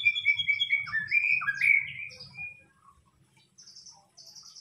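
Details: White-rumped shama, murai batu, as lure song: fluty whistled notes gliding and rising, followed by faint high thin notes, over a low steady background hum.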